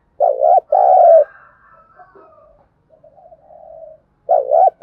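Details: Training lure of a spotted dove: a paired short coo and a longer, slightly falling coo, a stretch of soft low murmurs, then another short double coo.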